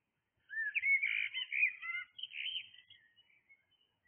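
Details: In the early hours, a blackbird sings one long mellow phrase. It opens with a swooping whistle, runs through rapid warbled notes and fades into thin, quiet twitters.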